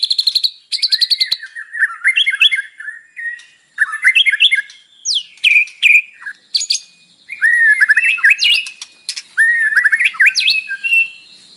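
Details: Long, varied song of a white-rumped shama (murai batu) with mimicked fills, used in the morning to stir a captive bird to sing. Rapid trills, twittering looping phrases and sharp whistled notes follow one another in quick bursts.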